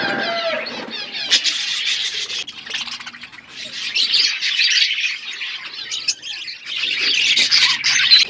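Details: Flock of budgies eating food: dense, continuous high chirping and warbling chatter from many birds, rising and falling in loudness in waves.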